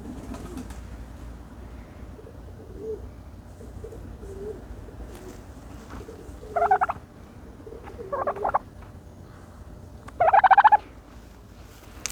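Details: Turkey bathing in dirt, making special noises: three loud, rapid, rattling gobbles at about 6.5, 8 and 10 seconds, with soft low murmuring calls between them over a quiet background.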